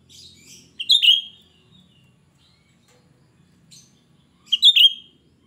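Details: Cucak rante, a lively singing bird, giving shrill, piercing phrases suited to luring other cucak rante: two loud sharp bursts about four seconds apart, each a bright slurred whistle with thin high chips, in an otherwise quiet setting.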